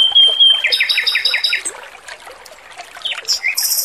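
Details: Male robin singing over trickling water in a training recording: a high whistle leads into about six quick buzzy notes, a quieter gap, then sharp high chirps.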